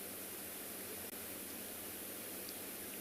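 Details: Steady hiss of outdoor background noise with a low hum, and no animal voices.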